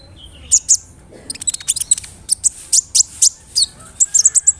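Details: Brown-throated sunbird, a big-bodied bird in full voice, singing as a lure meant to agitate other sunbirds: sharp, very high chirps and short buzzy strokes in irregular bursts, with faint background hiss.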